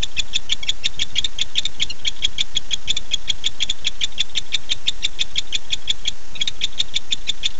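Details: Male barn owl calling for his mate at 9:54 pm, 9-8-15, on a nest camera: about three sharp high clicks per second in a long brisk series, briefly pausing near the end, over steady low hum.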